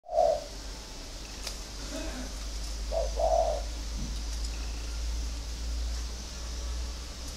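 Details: Spotted dove of a local strain, kept at a bird farm in Ba Vi, Hanoi, Vietnam, cooing: a low hollow note, then a pause and a two-part coo around three seconds, over steady low hum.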